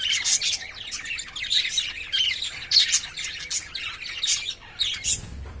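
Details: Courting lovebirds kept in a cage chatter with sharp, high squawks and chirps, some notes bending upward, in uneven rapid bursts.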